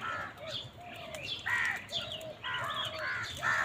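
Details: Crows squabbling over food give a string of hoarse, nasal caws of uneven length, some rising and some flat, over steady chirping of other birds.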